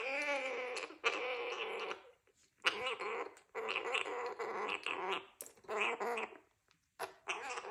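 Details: Pet Gang-gang Cockatoo from Australia, a male three and a half months old, thirsty and chatty after flight training, gives long rasping, growly chatters with strong harmonics, nearly continuous with a few brief gaps.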